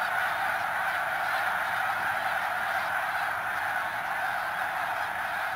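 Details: Snow geese at Middle Creek in Pennsylvania, heard as a softer, more distant continuous murmur of many overlapping honks.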